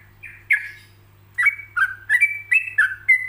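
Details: Paused, relaxed 'ropelan' song of a yellow-vented bulbul used as a master recording for other birds: two opening whistles, a one-second gap, then a lively string of eight ringing notes gliding between pitches over a faint hum.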